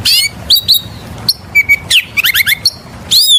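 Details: Kacer, the oriental magpie-robin, singing a lure song in energetic style: short sharp whistles and upward sweeps separated by brief pauses, with a quick cluster of chipping notes midway.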